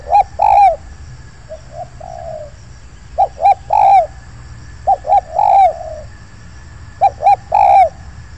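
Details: Spotted dove in an oil palm plantation where a wild bird arrived cooing at a luring site. Loud three-note coo phrases repeat about every two seconds and alternate with softer, more distant coos.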